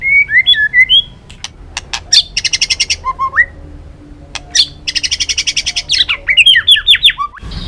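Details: White-rumped shama (murai batu balak 6), recorded as a lure for trapping birds: varied song of clear whistled phrases rising and falling, broken by bursts of rapid dry buzzy notes, with pauses between phrases.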